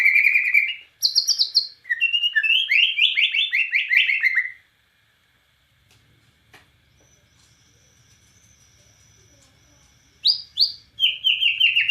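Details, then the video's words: White-rumped shama from Borneo delivering rapid, varied whistled and chattered phrases for about four seconds, then a long quiet pause with faint low hum, before the song resumes with high whistles. "SUARA BURUNG | Murai Batu Borneo Gacor Nembak Cililin"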